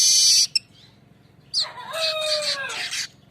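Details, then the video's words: Streaked weaver lure song: a short harsh buzz cut off, a brief pause, then a gliding, falling whistle under a crackling, chattery trill. "suara besetan ngerol burung Manyar"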